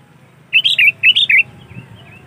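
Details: Sooty-headed bulbul in lively 'gacor' song, used as a trapping lure: two back-to-back phrases of three quick, liquid, up-and-down whistled notes each, followed by softer faint notes.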